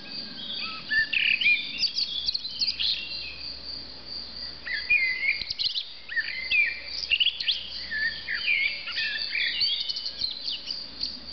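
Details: Common blackbird singing on a roof in Argeș, Romania, in June 2013: several fluted, warbling phrases with rising and falling notes, each ending in squeaky high twitters, coming every two to three seconds over a steady background hum.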